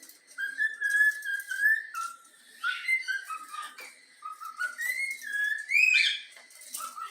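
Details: Yellow-cheek cockatiel, a pet youngster taught the Flamengo anthem, whistles a melody of level and stepped tonal notes, ending on a brighter upward-swept whistle.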